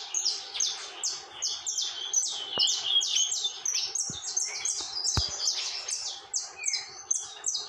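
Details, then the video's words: Unceasing saffron finch song: quick, bright, high chirps, roughly two to three per second, flowing into one another, with occasional faint clicks. "Canário da Terra TORMENTO canta sem parar"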